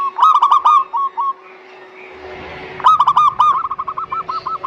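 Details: Local zebra dove singing, played to encourage reluctant doves to sing: quick bursts of clipped, ringing coo notes, then a noisy, hissing pause, and a fresh run of rapidly repeated hooked notes tapering into softer echoes.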